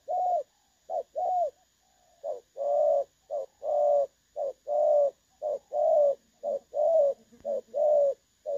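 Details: Spotted dove singing the clear 'đồng son' style, a decoy recording for trapping, 16 August 2024. Loud paired coos, a short note then a longer rounded note, come about once a second. Softer, lower coos sound faintly underneath.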